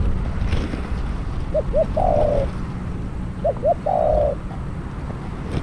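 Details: Spotted dove kept as a trapping decoy calls two quick upslurred notes followed by a long, rough, slightly falling coo, the phrase given twice against a low rumbling background.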